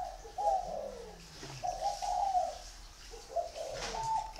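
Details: Repeated mellow coos of a spotted dove, grouped in short phrases of falling notes separated by brief pauses, over a faint hiss.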